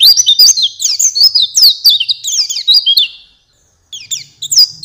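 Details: Oriental white-eye master song for training songbirds: a fast, high twittering song of thin, jumbled notes for about three seconds, then a brief pause before more high chirps.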